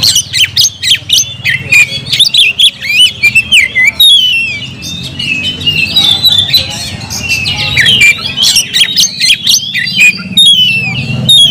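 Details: Vigorous song of a kept oriental magpie-robin: dense, continuous chains of shrill whistled slurs and sharp chips, barely pausing, with a soft low hum underneath.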